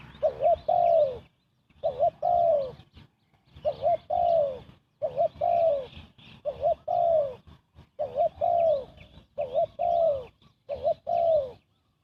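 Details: Long run of fast spotted dove cooing used for bird trapping: about ten two-part phrases, a quick warbled note then a longer downward coo, steadily repeated with short gaps and faint higher chirps.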